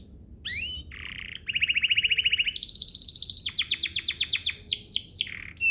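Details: Canary song played to encourage other canaries to start singing: varied phrases with a rising whistle, a buzzy tone, a rapid rattling trill, then a series of descending sweeps and a high rolling section.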